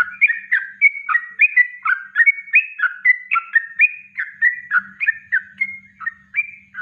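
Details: Yellow-vented bulbul singing a natural master song for training birds, rapid bubbly whistled phrases of two or three notes repeated about three times a second, steady and clear, with a faint low hum underneath.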